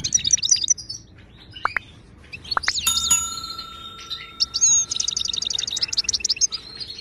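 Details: Moroccan goldfinch singing, meant for training caged birds to sing: bright twittering phrases and sharp chips, a long steady tone, then a rapid rattling trill with metallic chime-like notes mixed in.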